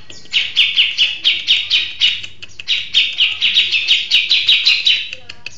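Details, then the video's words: Settled grey-cheeked bulbul singing strongly, pouring out regular, sharp, high chattering notes roughly twice per second in two long runs divided by a brief pause. "Burung Cucak Jenggot Mapan Gacor ( Long Shot Bird Song Cucak Beard )"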